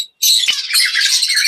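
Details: Australian rainbow budgies fighting in a breeding colony, with a female that holds an egg involved; harsh, dense, high squawking chatter pours out without a break after a short silent gap.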